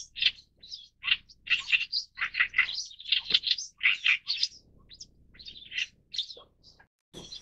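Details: Harsh, grating song of an Oriental reed warbler, dense clusters of rasping notes and thin squeaks rising and falling in loudness, easing into sparser calls toward the end.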